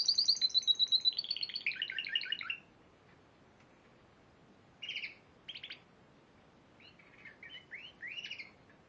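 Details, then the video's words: Spanish Timbrado canary that won the Piala Raja singing competition in March 2014, opening with a fast pulsing high trill sliding into lower rolling notes, then falling quiet apart from a few scattered short chirps. "Kenari Spanish Timbrado Juara Piala Raja Maret 2014"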